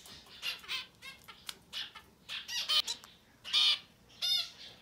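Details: Young society finches, no more than ten days old and growing fast, give harsh, buzzy, rasping calls with rich layered tones. The irregular bursts of uneven loudness come in clusters, and the loudest calls fall near the end.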